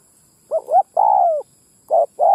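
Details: Spotted dove lure call, used in Vietnam to draw wild males and females: a quick stuttered double note, then a long, low, slightly falling coo, with a further short note and coo beginning at the end.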